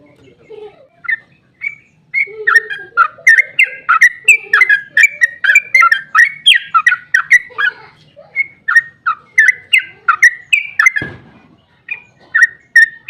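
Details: Sooty-headed bulbul in full rapid 'ropel' song, a lure meant to make other bulbuls reply. Bright, chattering whistled phrases come in a steady, tumbling stream, with softer lower notes early on and a short thud near the end.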